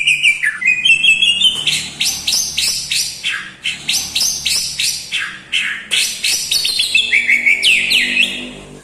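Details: White-rumped shama singing a varied medley that includes imitated lovebird, kapas tembak and cucak jenggot notes. Quick, sliding, chattering phrases pour out almost without pause, ending in a few downward whistled sweeps.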